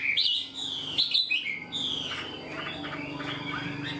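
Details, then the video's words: Freshly caught Chinese hwamei kept in a cage, singing a full-form song as a tame bird would: bright rising and falling whistles in short bursts, then a softer run of quick slurred notes, with a low steady background hum. "Họa mi mộc mau mỏ hót bài bản như chim thuần"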